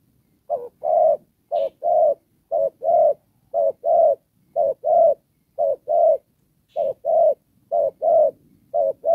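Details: Spotted dove serving as a decoy bird for trapping, Đồng Pha style: a long, regular run of about ten paired coos, each a clipped note then a fuller hoot, roughly one pair per second.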